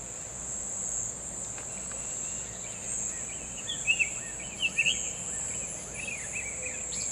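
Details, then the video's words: Wild Summer tanager giving a run of burry, whistled, up-and-down phrases, the louder notes grouped in the second half, all set against a constant shrill insect hum. ""SUMER TANAGER"(BURUNG KICAU)Full Gacor di Alam liar"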